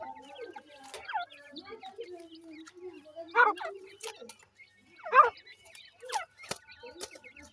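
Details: Grey francolin chicks at feeding, with soft warbling chirps followed by two loud abrupt cluck notes a couple of seconds apart and a few quieter sharp clicks.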